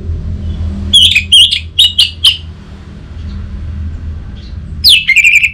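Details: Orange-headed thrush song made of short, clipped, slightly buzzy whistles repeated in quick succession, then a rising-falling whistled flourish at the end, over a low hum.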